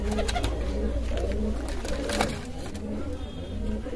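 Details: A Kalsara pigeon gives deep, muffled coos in quick succession, with a low background hum and a few sharp clicks.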